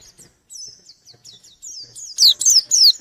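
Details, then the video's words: White-eye seeking a rival, starting with thin, soft, high twittering notes and ending in three loud downward-slurred whistles. "Burung pleci gacor nyari lawan"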